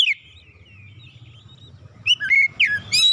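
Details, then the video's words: Caged white-rumped shama, song for calming a stressed bird: a long soft thin whistle over low hum, then loud sharp upslurred and downslurred whistles in quick succession. "terapi Kacer dan pemulihan Kacer setres cepat gacor"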